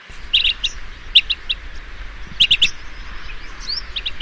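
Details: At dusk, a blue-tailed bee-eater, a bird that feeds on insects, utters clipped, slightly rolling chirps in small clusters, pauses between, with soft distant bird calls behind.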